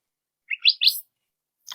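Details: Curve-billed thrasher (Toxostoma curvirostre), a common desert bird of the American Southwest, gives its call: three quick, sharp, rising whistled notes, a wet-sounding 'whit-weep-weep', with a faint click at the end.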